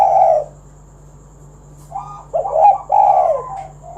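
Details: Spotted dove call meant to entice other doves into singing: a single hoarse coo, a silent pause, then a rising note leading into a quick series of throaty, falling coos.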